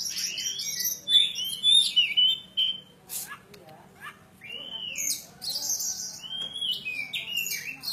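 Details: Javan kacer poci oriental magpie-robin, an insistent singer from Java, delivering varied whistled phrases with sharp upswept and downslurred notes, short pauses between bursts, and some scratchy high chatter.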